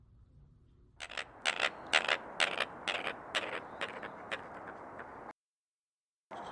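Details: American coot (Fulica americana) in a wetland gives a quick run of harsh, hen-like clucks, about two a second, then falls quiet before one last burst.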